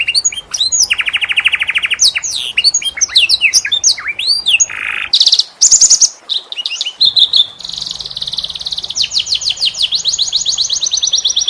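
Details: Canary song in the unique 'cengkok' style, used as a tutor recording for teaching other canaries: rapid varied phrases of high trills, swept whistles and sharp repeated notes, fast rolling buzzy passages, continuous and loud.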